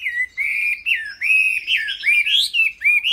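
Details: Chinese hwamei, a kept ornamental bird, giving loud, clear whistled phrases, each a sliding note lasting about a third of a second, separated by short pauses.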